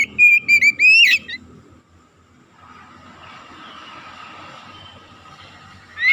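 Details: Oriental magpie-robin (kacer) singing 'gacor' as a lure to stir other birds: one short burst of loud whistled notes ending in a rising upslur, followed by several seconds of steady low background noise and a faint hum.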